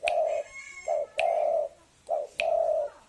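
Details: Spotted dove coos played as a lure: long, steady, hoarse low coos alternating with short notes, with sharp clicking knocks at the start of several phrases and faint background hiss.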